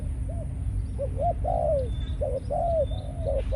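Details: Malaysian-type decoy spotted dove, caged and brought into breeding condition. Paired clipped coos lead into a long, slurred, descending coo, then the phrase repeats. Steady low hum underneath, with a few thin distant chirps.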